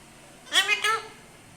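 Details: Rose-ringed parakeet talking in Urdu or Hindi while playing: two short, harmonic, voice-like syllables in a quiet indoor setting.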